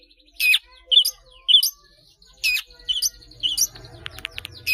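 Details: Long-tailed shrike kept as a caged bird, singing eagerly with many fill phrases for training other caged birds: sharp, high chirps and short rising notes at uneven intervals, ending in a few quick clicks.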